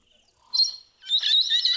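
Brown-headed parrot giving a brief shrill squeak, then a second of rapid, high, scratchy chattering notes run together.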